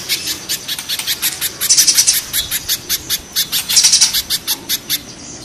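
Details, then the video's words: Mountain and banana spiderhunters in harsh, rough calling: regularly spaced sharp, high chips with two louder, compressed bursts of rapid notes. "Raja kasarnya kolibri pijantung gunung vs pijantung pisang"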